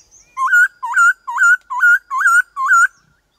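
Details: White-cheeked laughingthrush singing a varied 'changing-voice' wild-style song, used to stimulate other birds and train young ones: six loud, rich whistled notes, each dipping then rising, repeated about every half second.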